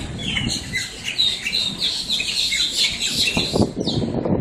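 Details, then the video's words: Blackbirds making a racket up close in Miami, Florida: several squawk and chatter at once, harsh high overlapping notes, with low thumps and fluttering near the end. "blackbirds squawking"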